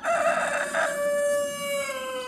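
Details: A rooster in a Turkish village on a sunny day, one of two newly bought, gives one drawn-out crow of about two seconds, held level and then trailing slightly downward.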